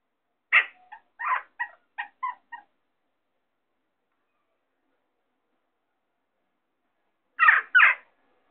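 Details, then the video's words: Western jackdaw calling out from a ledge, giving short, sharp, metallic 'chak' calls: a quick run of about six, then a long pause and two more; nothing else is heard. "Jackdaw Shouting Out"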